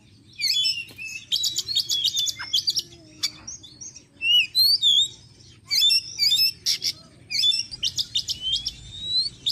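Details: Lure sound of an Oriental magpie-robin played to attract wild magpie-robins; rapid, varied bursts of high chattering notes mixed with clear upslurred whistles, delivered in dense phrases separated by short pauses.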